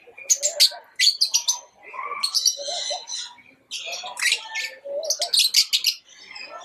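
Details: Several pet lovebirds in chirping chatter: clusters of piercing, scratchy chirps separated by softer, lower twittering, the bursts returning roughly every two seconds.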